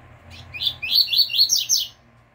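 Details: Pure 'tui tui fibra' song of a double-collared seedeater, used to teach song to caged birds. About six high, sweeping chirps come in quick succession, each slightly slurred, with a faint low hum beneath.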